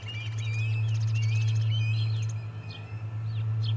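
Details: Osprey at the Charlo nest on 4 September 2020, evicting an intruding osprey: rapid series of high whistled chirps that rise and fall, over a strong steady low electrical hum.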